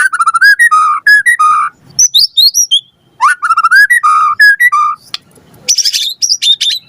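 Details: Energetic song of a white-rumped shama (murai batu), rich in fill-in phrases and used to lure a reply: fluted low whistles in quick bursts, rising slurred notes, and a phrase repeated after a short pause.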